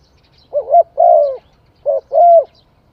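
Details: Spotted dove song in two quick phrases, each a brief wobbling coo leading into a longer, steady, mellow coo that falls away at the end. The background is quiet.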